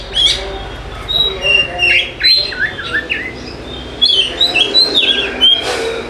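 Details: Oriental magpie-robin song used as a lure to prompt lazy birds to sing: clear varied whistles, short trills and slurred phrases in quick bursts with brief pauses, over faint background noise.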